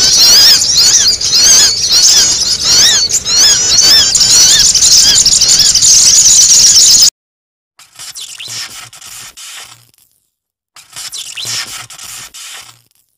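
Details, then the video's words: Noisy sogon lure calls: for about seven seconds a dense wall of high, shrill overlapping chirps from many birds, then near silence broken by two short faint bursts of high calls. "SUARA SOGON RIBUT UNTUK PIKAT"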